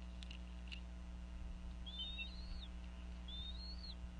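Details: Bald eagle female calling over a fish at a Northeast Florida nest with eaglets, late afternoon, 2014: two drawn-out, thin whistles that rise slightly then drop at the end, with faint clicks and a constant low hum.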